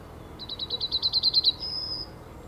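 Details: Male yellowhammer recorded on 17 February 2019 at 10:55 in the Ahsewiesen nature reserve with a Panasonic Lumix GH5. It gives a quick run of about ten sharp, high, repeated notes, then a long, steady drawn-out final note. The background is quiet.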